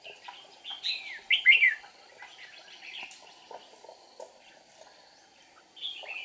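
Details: Decoy red-whiskered bulbul singing at a trapping site on 8 April 2019 to lure wild rivals, flicking wings and tail; a few loud, fluty slurred notes early, then softer chatter and a final phrase.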